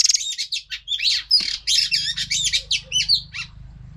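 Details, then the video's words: Oriental magpie-robin female song used to train and stimulate males: dense, scratchy, warbling notes and short whistles in quick sequence over a faint low hum. "Choè than mái kích trống hay nhất"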